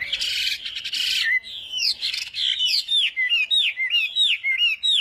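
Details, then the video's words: Morning training song of a Chinese hwamei in fighting-song style, opening with a dense harsh rattle, then a chain of bright looping whistles that swoop downward and repeat about twice each second. "Hoạ Mi Hót Đấu /hoạ mi hót sáng luyện giọng"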